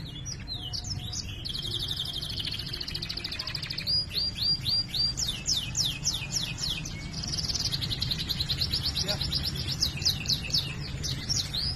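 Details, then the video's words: Vigorous gacor canary mixing cuit cuit chirps with ngerol rolls: scattered sharp notes, a long buzzy roll, repeated upswept whistles, then another extended rolled trill and rapid chirping, over constant low rumble. "Masteran suara burung kenari GACOR ngerol cuit cuit nembak ‼️ Kenari macet akan BUNYI"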